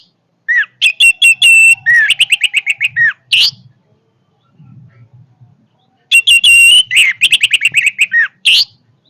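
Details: Orange-headed thrush delivering a powerful song in two loud bursts, each a quick series of clipped, squeaky whistled notes with slurred rising and falling phrases, separated by a pause with faint low background rumble.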